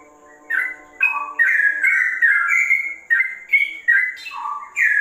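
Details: Sooty-headed bulbul singing in a style said to resemble the straw-headed bulbul: rich whistled notes, some rising and some falling, in quick varied phrases separated by short pauses, over a faint low steady hum.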